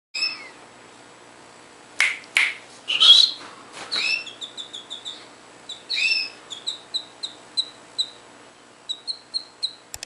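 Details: Canary singing: scattered sharp chirps and broad rasping notes early, then a run of evenly spaced short whistled notes repeated about three per second toward the end.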